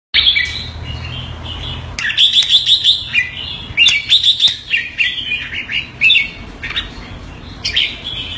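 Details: Pet red-whiskered bulbul kept in Singapore, calling keke on command: bright chattering phrases alternate with fast runs of sharp, rattling keke notes, repeated in bursts across the recording, with faint low hum behind.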